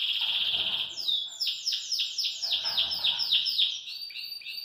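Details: Caged Belgian canary in full song: a sustained high trill gives way to a run of clear downward-sweeping notes, about four each second, then a warbled ending.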